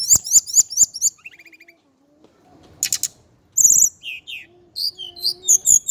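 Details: Sharp high repeated notes from a male Javan Indigo flycatcher, followed by a soft lower trill, a pause with faint rustling, then bright looping whistles and fast twittered phrases.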